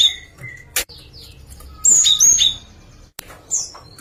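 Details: Java sparrow song: brief high chirps and thin, bell-like notes in short bursts separated by quiet gaps, with a faint background hum.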